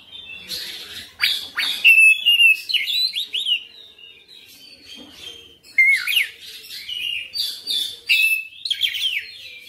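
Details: Oriental magpie-robin in persistent full song displaying its repertoire. Two loud bouts of clear, piercing whistles and fast varied chirps are separated by a softer, quieter passage.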